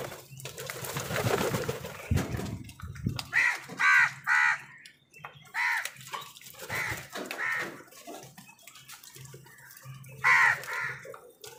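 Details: Crows squabble with wild birds over food, giving a string of hoarse, grating caws in short clustered bursts, several in quick succession, over a background of broadband chatter and scuffling noise.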